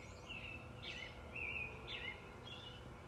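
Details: Birds chirping in the early morning: thin, high, slurred chirps about every half second over a steady low hum and background noise.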